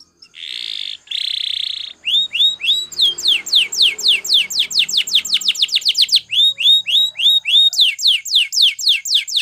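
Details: Training song from a Belgian canary: two short buzzy rolls, then a long run of loud sweeping notes dropping in pitch, repeated about four per second with a short break midway.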